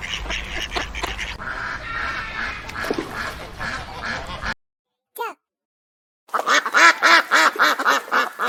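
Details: Duck giving a fast series of harsh, rhythmic quacks after a stretch of loud, noisy background sound and a brief pause.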